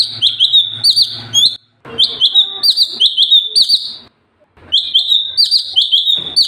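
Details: Sooty-headed bulbul in very active 'gacor' singing, 'tembakan' bursts used for tutoring other birds: three quick runs of bright, bubbly whistled notes with short upward flicks, broken by brief pauses, with a faint low hum in places.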